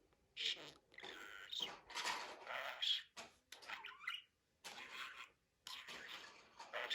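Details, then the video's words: Budgerigar chatter made of loud raspy warbling phrases with high squeaks and a quick rising-falling whistle, broken by two short silences. "MUHABBET KUŞU | DİNLET KONUŞSUN"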